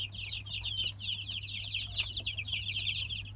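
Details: Three-week-old Light Brahma chicks in a 2017 hatch, a crowd of them peeping together in dense, overlapping high chirps that slide downward, continuous throughout with a steady low hum behind.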